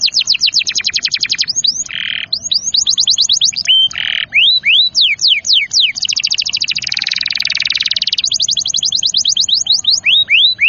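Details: Canary in full song, used to stimulate young, stalled or lazy canaries to sing: long rapid trills of sharp falling sweeps, broken by brief buzzy notes and a dense chattering passage, very fast and continuous.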